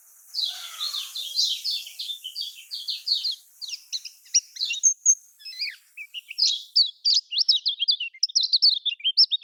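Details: Lemon-bellied white-eye song in the Lombok style, used to coax caged kecial kuning into singing: a long, fast, unbroken twittering of high, varied chirps and slurred notes, growing choppier and more staccato toward the end.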